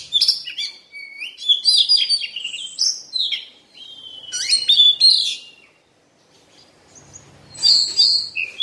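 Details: Moulting Oriental magpie-robin singing rich, varied phrases of sweet whistles, slurred glides and harsh chattering notes, delivered in loud bursts separated by a short silent gap.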